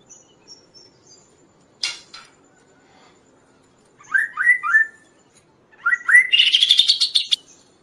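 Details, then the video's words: Kaso-kaso song for training and luring other birds: a sharp click burst, then three quick upslurred whistles in a row, and later a run of rising whistles flowing into a dense, buzzy trill. "suara Burung Kaso-Kaso gacor|| masteran dan raja pikat burung lain"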